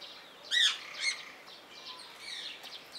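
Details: Blue-mutation rose-ringed parakeet in captivity at Opole Zoo: two loud, harsh, downward-bending screeches about half a second apart, then faint chattering calls from other birds in the background.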